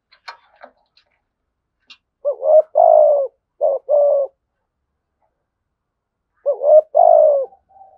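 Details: Thunder-voiced spotted dove calling in a good, orderly pattern; a few faint clicks open the recording, then two phrases of short and long hollow coos, separated by a pause of roughly two seconds.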